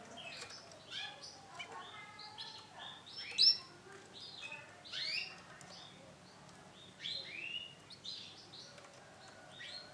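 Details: Female isabel-coloured canary giving a busy run of short high chirps and clipped tweets, several bursts each second with brief pauses, one louder sharp note near the middle; faint low background hum.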